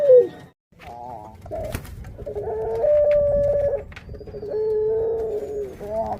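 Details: Breeding female puter pelung dove kept as a pet, calling as she prepares to lay eggs: a sliding note, then long steady tonal coos held for about a second each, with faint background noise and other doves nearby.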